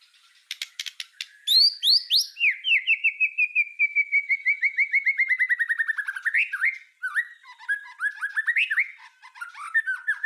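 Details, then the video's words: Murai batu (white-rumped shama) master recording in 'full tembakan' style for teaching songbirds: quick clicks, then a long rapid series of upsweeping whistled notes slowly dropping in pitch, followed by varied warbling phrases. "Suara Masteran Murai Batu Full Tembakan"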